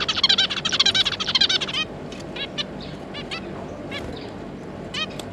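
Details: A pair of zebra finches and their three juvenile young, 9 June 2022. A quick run of about a dozen loud nasal calls opens, then softer scattered calls follow over a low background hum.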